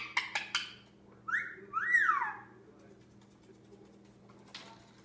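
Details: Pet male Indian ringneck parakeet, 10 months old, playing alone indoors: three quick clicks or taps, then two rising-and-falling whistled notes, the second longer and louder, followed by quiet.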